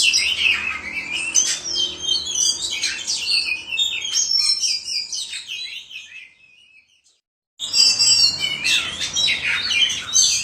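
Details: Oriental magpie-robin singing in the full, lively ngobra style: a rich, varied stream of high whistles, chirps and trills, halting for about a second and a half of silence, then resuming just as busily.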